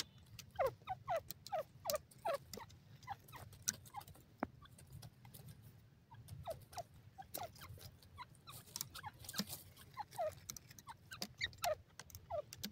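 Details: A grey francolin among mustard fields, foraging on mustard leaves, calls with a run of short, harsh notes that drop in pitch, repeated about twice a second; scattered clicks and rustling throughout.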